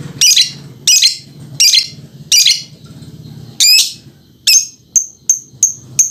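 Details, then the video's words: Lovebird chattering while dancing, a run of harsh rasping squawks followed by four short, thin, high chirps at the end, low hum beneath. "Love bird menari sambil ngekek"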